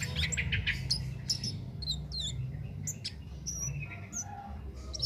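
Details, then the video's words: Cit keres singing naturally without doping, recorded as a master for training competition songbirds. Bright, high, whistled chirps and short trills come in quick irregular bursts over a steady low hum and background noise. "Cit Keres Nembak Buat Masteran"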